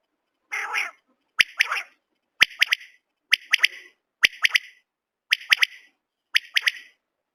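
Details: Common quail calling: a short, harsh three-part phrase, one sharp note followed by two quick notes, repeated about once a second in a clean, quiet setting.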